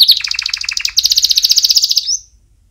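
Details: Canary song for young birds in training: a dense, rapid high trill that shifts into a smoother, faster rolling phrase and ends on a short rising whistle.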